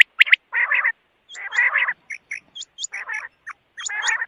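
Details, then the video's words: Quail giving rough, buzzy churring phrases between short sharp notes, with thin high upslurred squeaks above. "Batair ki awaz|quail sound"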